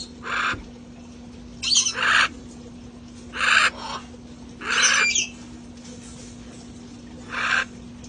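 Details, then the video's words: A flock of sanctuary parrots outside: five loud, raspy squawks spaced a second or more apart, some doubled, each a short harsh burst. "sights & sounds of parrots having fun outside"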